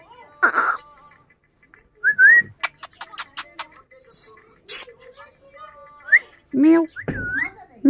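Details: Talking pet parrot mimicking meows indoors: rising whistled notes, a run of sharp clicks, then several short bent meow-like calls near the end.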